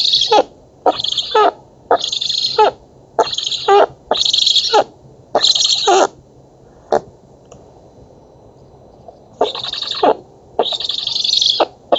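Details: Black stork nestlings at a feeding in an oak nest in Poland, August 2017, begging with harsh wheezing bursts in quick series, a brief pause midway, then more bursts.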